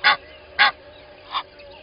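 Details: Two loud rasping honks followed by a softer third from an Egyptian goose pair at a game reserve waterhole in South Africa, early morning, with quiet background.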